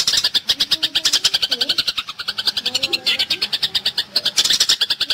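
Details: Eurasian tree sparrow in fighting chatter, used to train songbirds: steady, dense, rasping chirps about five per second, with faint low murmurs in the background.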